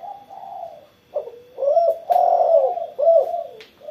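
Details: Spotted dove singing vigorously after its morning sunning: low, mellow coos in phrases, each swelling and dipping slightly in pitch, with brief pauses between. A steady faint high tone runs in the background.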